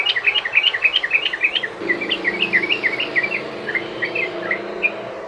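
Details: Trucukan bulbul singing its long rolling 'ropel' phrase, a lure for other bulbuls: quick, tightly spaced chirps of varying pitch running for five seconds against a low steady hum.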